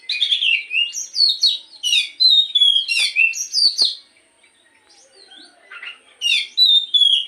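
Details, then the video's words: Morning lure song of an Oriental magpie-robin (kacer): a rapid run of varied whistled notes, rising and falling slurs and sharp clicks, then a brief pause before bright phrases resume. "pancingan Kacer di pagi hari agar burung Kacer rajin bunyi dan cepet gacor"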